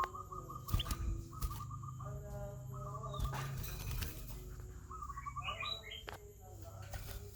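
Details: Sooty-headed bulbul song made of short, clear whistled phrases of quick repeated notes, about five bursts spread across the recording, some rising in small steps, with clicks and knocks and a steady low hum behind.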